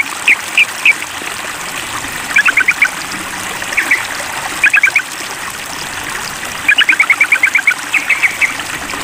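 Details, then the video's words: Sooty-headed bulbul calling a rival, giving short groups of two to four sharp chattering notes scattered through the recording and ending in a longer rapid run, over steady hiss. "Trucukan Memanggil Lawan"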